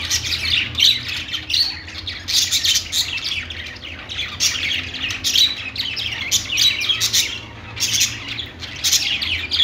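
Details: Budgerigars, also called parakeets, in a pet store: a dense chorus of many birds chirping and squawking at once, bright scratchy calls overlapping continuously with no pauses, a low steady hum underneath.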